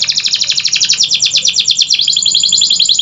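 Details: Canary song as a lure for non-singing canaries: a continuous rapid, chattering trill of high pulsed notes that speeds into finer, quicker pulses.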